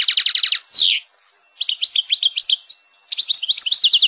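A European goldfinch sings bright, rapid twittering phrases: a fast buzzy trill, a falling slur, then tinkling liquid notes, all high-pitched with brief pauses between bursts.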